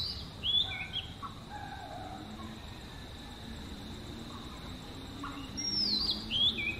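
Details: Oriental magpie-robin giving one of seven natural sweet melodies: a quick falling whistle with a twisting tail at the start, several seconds of near quiet, then the same phrase again at the end.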